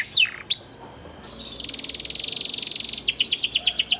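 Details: A panda canary's song, used to coax silent canaries into singing back: a few separate whistled notes, a long fine buzzing trill, then quick repeated sweeping syllables.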